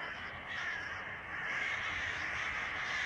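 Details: Crows flocking at evening in summer outside a window, breaking their usual silence with a racket: overlapping rasping caws forming a continuous clamour that grows louder halfway through.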